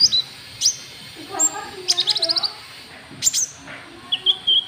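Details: Lure call of a white-cheeked bulbul, meant to provoke rivals: high, thin chirps, then a quick run of about six rapid ticking notes, then more bright chirps and a level whistled note near the end.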